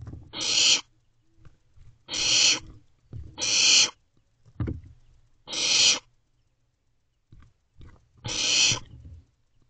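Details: Barn owl owlet in a nest box, swallowing a rodent at 5:11 am on 6/4/23: five harsh, breathy hissing screeches, each about half a second long, spaced roughly every one and a half to two seconds, with soft shuffling between.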